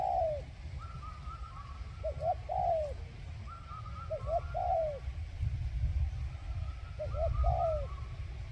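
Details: Decoy spotted dove cooing in short grouped phrases, soft hooting notes returning every couple of seconds, against constant low background rumble and faint higher calls.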